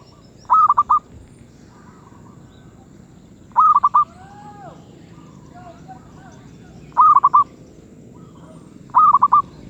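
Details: Zebra dove, medium voice, uttering clear trilled coo phrases of quick pulsed notes, four bouts at uneven intervals, with softer calls and quiet background between.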